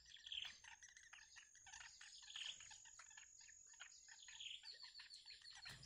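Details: Hungry bittern chicks in the wild awaiting their mother with food. Short high chirp clusters repeat about every two seconds amid constant shrill insect buzzing.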